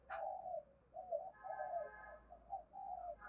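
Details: Spotted dove cooing, played to stir and train decoy birds: soft, low hooting coos in a broken series, fairly quiet against a faint background hum.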